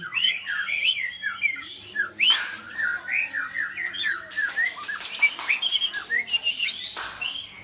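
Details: Training recording of a Medan-type white-rumped shama meant to get other birds to sing: varied warbled and whistled phrases, some slurred and rising, with a dense run of quick chirps near the end.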